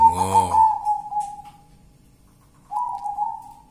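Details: Zebra dove of a local wild line giving a steady, sustained coo that fades out, then returns with a second coo after a pause. A human voice briefly overlaps the start.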